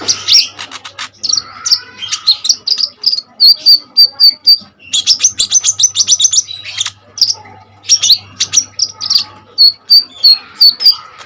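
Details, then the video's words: ['Energetic kolibri ninja sunbird song meant for training other birds: long stretches of dense high chattering and trills, broken by rows of clear repeated whistled notes, with a faint low hum.'] "KONIN GACOR FULL TEMBAKAN SADIS || COCOK UNTUK PANCINGAN & MASTERAN BURUNG KOLIBRI NINJA BAHAN"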